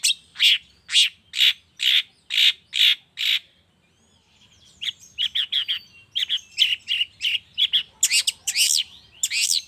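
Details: Long-tailed shrike lure for prompting silent birds to sing, recorded in the morning: a steady series of seven buzzy, harsh notes, a brief pause, then a fast jumble of chattering notes that grows busier.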